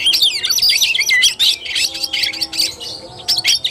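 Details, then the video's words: Fighting-style (kacer tarung) song of an Oriental magpie-robin, recorded 17 August 2021: rapid high chattering and descending whistled slurs, continuous and energetic, breaking into shorter bursts toward the end. "KACER TARUNG"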